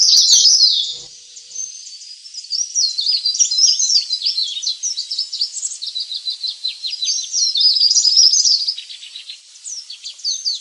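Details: Leaf warbler lure recording, used to attract wild birds: rapid, high, thin twittering with sharp chirps and short trills, tumbling in quick bursts with no pause, the loudness rising and falling throughout.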